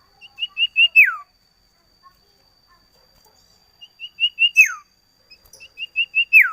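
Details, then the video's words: Common iora, known locally as sirtu or cipoh, singing phrases of four to five short, evenly spaced whistled notes that climb slightly and end in a long, loud descending slur, repeated after a pause. A faint steady high tone runs throughout. "Suara Burung Imut Sirtu / Cipoh / Cito / Sirdum"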